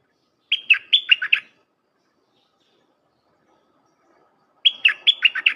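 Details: Red-whiskered bulbul repeating its full 'dok' song for young birds to learn: two identical phrases of about six quick, lilting whistled notes, separated by roughly three seconds of silence.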